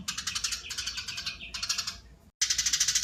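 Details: Eurasian tree sparrow chattering at full speed, rapid harsh chirps in tight runs of under a second, separated by short gaps, ending in a fresh dense burst.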